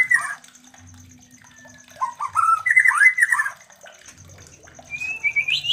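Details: Breeding white-rumped shama, sound used to stimulate mating in other kept shamas: short whistled phrases of rising and falling slurs, a pause, then a thin upward-sliding whistle, over a soft background hiss and hum.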